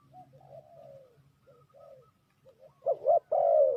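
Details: Spotted dove used as a trapping lure: soft, distant coos drift at first, then a loud close pair of wavering notes is followed by a long falling coo.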